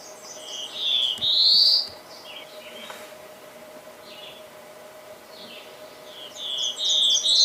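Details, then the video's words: Black-throated blue warbler singing a buzzy phrase of short notes ending in a rising drawled buzz, repeated about five seconds later; faint distant chips between, over a low steady hum. "Reinita Azulada"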